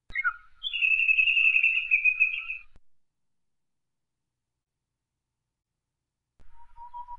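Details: Japanese bush warbler song: a short opening note, then a long, steady, high whistle lasting about two seconds. Silence follows, and a faint new phrase begins at the end.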